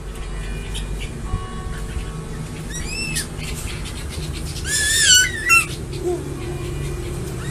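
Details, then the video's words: Crested eagle calling: a few short arched whistled notes, then a louder, longer strained whistle with strong overtones that rises and falls, followed by a brief echo-like note, over steady low background noise. "Som de águia com crista"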